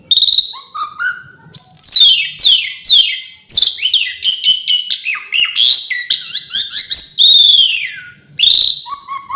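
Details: An Asian pied starling delivers a long, richly varied isian song, a rapid medley of sweeping whistles, clicks, harsh chatter and slurred descending notes in nearly continuous flow.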